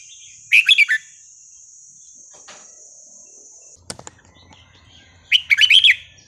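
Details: Wild Red-whiskered Bulbul singing a forest-style phrase: two short bursts of bubbly, warbled notes separated by quiet, with a steady high insect whine in the background.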